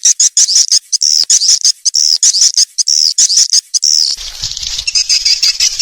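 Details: Swiftlet lure call for young swiftlets entering a new building: a fast series of high chirping notes with buzzy edges, then fainter scattered twittering over a low rumble.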